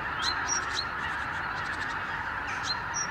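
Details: Thousands of Arctic geese wintering in the Lower Rhine region, streaming back in the morning from their roost to pastures; a steady blended chorus of many honking birds, with brief sharp yelping notes scattered through it.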